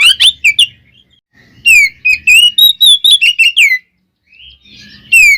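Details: Oriental magpie-robin singing its provoking fight song: sharp high whistles, then a string of loud descending and rising slurred whistles, about a dozen in under two seconds, a brief pause, and one more whistle.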